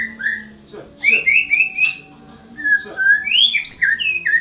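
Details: White-rumped shama, a national champion songbird, singing: clear whistled phrases sliding between low and high notes, separated by short pauses, with a few harsher clicks and a faint low hum underneath.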